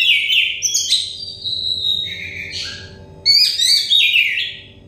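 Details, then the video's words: Oriental magpie-robin song aimed at getting stressed or untrained birds to sing: lively, varied whistled phrases with quick upslurs, chattering notes and sustained tones, a brief lull, then an energetic warbled burst, over a soft low hum. "terepi kacer bahan kacer setres kacer daon cepat gacor ngeplong"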